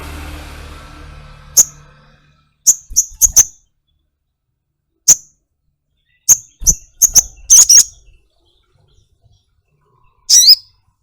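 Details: Sharp, high-pitched chirps of a ruby-cheeked sunbird, known locally as sogok ontong, in short bursts and doubled notes separated by silent pauses, ending with a slurred, descending twitter. A soft low rumble is heard at the start.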